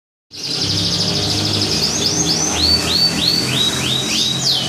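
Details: Champion competition canary from the Blora area of Java, Indonesia, singing. A fast rattling trill is followed by a run of clear whistled notes sliding downward, about seven in a row, over a low hum and background murmur.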